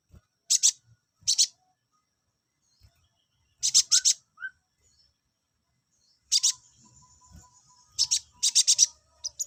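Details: Olive-backed sunbird calls, played to bring males into breeding condition: short buzzy high bursts of two or three rapid notes, spaced irregularly over nine seconds, with a faint thin whistle trailing after one burst.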